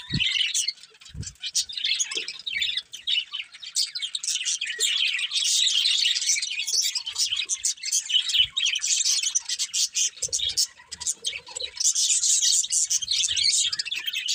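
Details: Several budgies chirping together in a steady, busy flock chatter of high twitters, squeaks and warbles, with occasional soft knocks.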